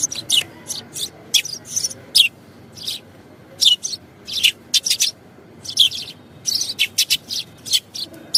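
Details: Sparrow singing: a string of short, sharp, high chirps and cheeps coming in irregular bursts, some doubled or tripled, with brief silent gaps between them and a faint steady background hiss.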